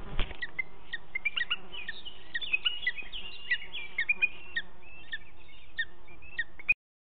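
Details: Booted eagle at a nest in Ports Natural Park on 2 June 2019 at 10:13, while the male keeps bringing prey, here a live ocellated lizard, to the female; rapid irregular series of short, sharp whistled chirps and yelps.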